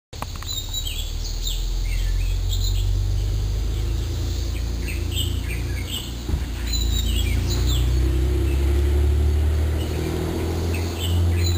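Japanese white-eyes give thin, high chirps several times a second over a steady low rumble of wind or distant traffic.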